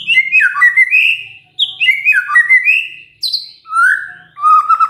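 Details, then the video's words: White-rumped shama singing a lure song to draw answers from other shamas, delivered in three bursts of rich, fluty, tumbling whistled phrases separated by short pauses, closing on a lower warble. "pancingan murai batu ini bikin GAMPANG NYAUT murai lainnya"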